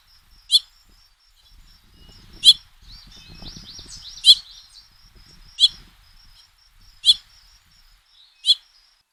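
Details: Male house finch feeding fledglings from the first brood, which beg for food, trail camera: six sharp, raspy chirps spaced one to two seconds apart over a steady high twittering chatter, with soft rustling underneath.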